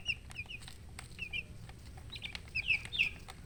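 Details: Baby chickens peeping: short, high, downward-sliding chirps come in loose clusters, a few at the start, then a livelier bunch near the end, over a low steady background hum.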